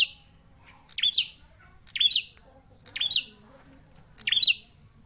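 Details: Caged prinia known as prenjak klawu, held over four years, produces loud chirps with a quick rise and fall, four spaced about a second apart, in a quiet setting.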